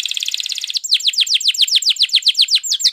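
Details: Spanish Timbrado canary training song, a short dense trill followed by rapid falling whistled notes repeated about four per second.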